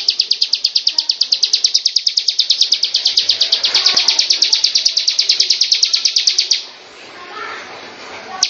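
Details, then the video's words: Bar-winged prinia, known locally as ciblek, delivering a long, unbroken string of high, sharp, evenly spaced notes for over six seconds, followed by a quiet gap and the start of a new burst. "SUARA BURUNG CIBLEK"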